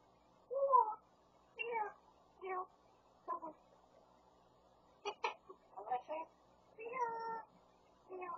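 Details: A grey parrot (Psittacus erithacus), said to repeat anything it hears, including hammer sounds, talks in about eight short, speech-like phrases with some sharp clicks mixed in, in a quiet room.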